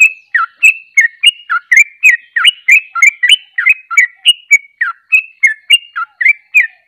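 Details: Sooty-headed bulbul in ropelan, its fast continuous song style. Crisp, liquid, bouncing notes repeat steadily at roughly three per second for the whole stretch, with no gaps. No other sounds.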